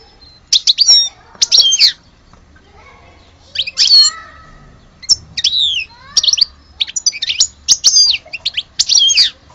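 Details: European goldfinch said to be from Alge giving separate short phrases of high twittering and swept chirps, a few seconds apart, with quiet gaps between.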